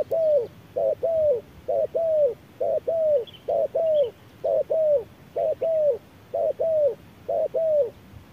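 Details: Decoy spotted dove duelling a wild dove in harsh midday sun. Steady paired coos repeat roughly every two-thirds of a second: a short hoot, then a longer falling coo. There is light background hiss and a faint distant chirp.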